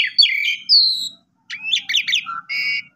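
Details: An Asian pied starling, used as a lure song to get young, sulking or stressed starlings singing, sings a varied, rapid medley of whistled slurs, chatters and sharp squeaky notes in short bursts, bright and high-pitched.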